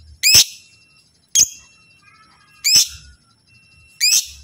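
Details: Four shrill lovebird chirps, one short and clipped, spaced about 1.2 to 1.4 seconds apart, meant to coax other lovebirds into calling back, with faint soft chatter in the pauses.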